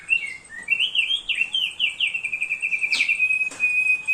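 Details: Thick-billed heleia singing, offered as a training master: quick warbling chirps blending into a long steady whistle, with two sharp clicks near the end.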